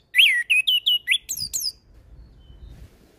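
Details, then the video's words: Orange-headed thrush (anis kembang) in lively song for bird training: a rapid string of six or seven loud slurred whistles, each swooping down, followed by quiet background rumble. "Suara Anis kembang Gacor Full isian"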